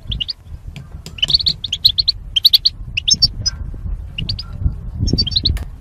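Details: Goldfinches kept in cages as mating pairs, for singing training: clear, bright twittering phrases of quick high chirps, densest in the middle, with a soft low rumble behind.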